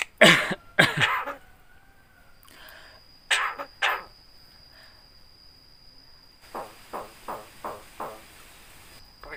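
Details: Talking Javan myna said to give a greeting and to cough: two loud, harsh cough-like bursts, more hoarse blasts, then a row of five short, softer notes spaced almost evenly.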